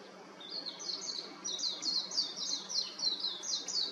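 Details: Warbling white-eye singing from an electric wire: a rapid, high, sweet warble of tumbling, slurred notes that runs almost continuously. Faint background hum.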